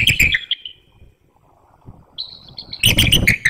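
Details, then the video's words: Pre-dawn vocal exchange of a bald eagle pair at the nest, Hanover, Pennsylvania, 12 March 2019, during incubation in 32° F wind; high, squealing chitters open and close the clip around a quiet gap. "Vocalizing at the Nest"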